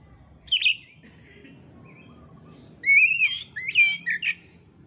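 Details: Oriental magpie-robin (kacer) from Indonesia, recorded as training material for songbird keepers, in vigorous full song: a brief high chirp, a pause with faint low hum, then a rich burst of varied whistled and warbled phrases, some sweeping sharply.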